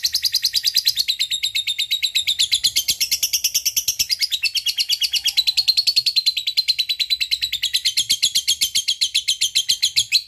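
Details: Ten seconds of unbroken lovebird ngekek: a long, even run of sharp, high, buzzy chirps at a brisk steady tempo, played to encourage lazy lovebirds to sing.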